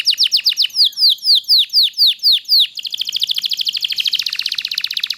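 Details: Canary delivering a long master song for other canaries: slow clear descending whistles about four per second, switching to a rapid high buzzy trill.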